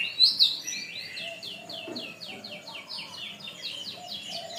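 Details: Canary singing on a long tutor (masteran) track for training birds: rapid rolling trill of repeated high chirps, evenly paced, after two sharp opening notes, with a soft low warble underneath.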